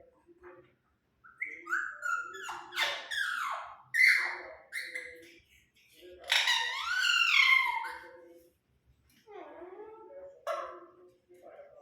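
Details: Playful pet Alexandrine parakeet making different sounds: loud harmonic squawks and screeches, bent whistled notes and chattering phrases that rise and fall, in bursts separated by short pauses.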